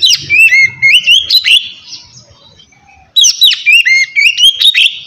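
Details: Kacer, or white-rumped shama, singing relaxed ngeplong to stir idle birds: two loud bursts of rapid sliding whistles and chips, separated by a quiet pause of about a second and a half.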